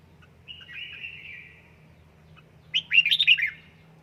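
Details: Red-whiskered bulbul (Pycnonotus jocosus), a Gia Lai bird being trained at home, sings a wavering, slightly falling whistle, then a quick burst of bright, bubbling warbled notes, over a low steady hum.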